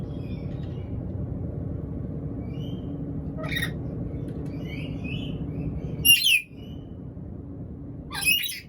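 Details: Hungry black-capped lory giving harsh, grating squawks. Three short rasping bursts are spaced a few seconds apart, the middle one loudest. Soft thin chirps from other birds and constant low rumbling noise run underneath.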